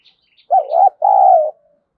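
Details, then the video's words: Spotted dove call meant to draw in wild doves: a single deep two-note coo, the first short and undulating, the second longer and level, preceded by faint high chirps. "Tiếng cu gáy kích bổi hiệu quả, cu gáy Gọi. cu gáy thúc gù kích bổi"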